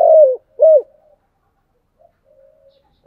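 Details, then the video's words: Spotted dove cooing in the chiêu and thúc styles: two loud, low, mellow coo notes, the second short and arched, then quiet soft murmurs and the start of another coo. "Tiếng cu gáy chiêu và thúc hay"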